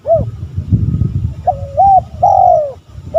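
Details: Spotted dove male giving a provoking call to draw rivals: a short coo, then a wavering two-part coo and a long slurred coo sliding downward, with low rumbling background noise underneath.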